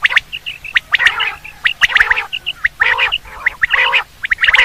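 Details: Batair, or quail, calling in a hunting lure recording: dense rasping bursts mixed with quick sharp notes and short high piping dots, repeating irregularly about once a second.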